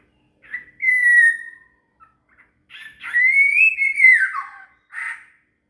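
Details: Shama (murai) singing as song material for a cililin: two long, pure whistled notes, the second gently rising then falling away, with short softer notes between them in a quiet setting.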